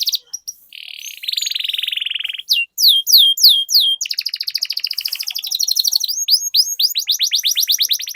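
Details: Canary singing a long rolling song meant as a lure to get other canaries singing: quick rising notes, then a steady buzzy trill, then fast repeated downslurred whistles and a long rapid rattling roll.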